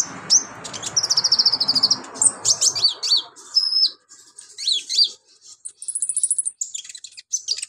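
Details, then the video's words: Agile, vocal Brown-throated Sunbird pouring out its borrowed repertoire for training other birds. Fast buzzy trills, dry rattles and bright descending whistles alternate at a very high pitch, with a soft hiss in the first seconds. "BURUNG KONIN GACOR LINCAH BONGKAR ISIAN COCOK BUAT MASTERAN"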